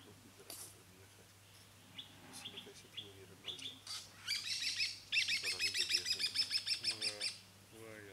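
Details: A red-capped robin-chat, recorded in 2011: scattered high chirps build into a fast run of bright, repeated notes, about three a second, with lower nasal calls and a steady hum underneath.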